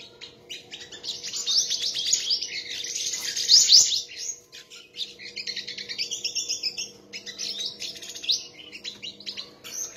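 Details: Sunbird singing during a song contest, high buzzy twittering strings, a loud run early, then choppier phrases with short pauses.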